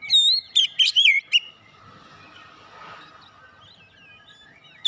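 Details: Young fighter-character Oriental magpie-robin gives a brief run of loud wavering whistles and chips, followed by a long quiet stretch with faint background noise.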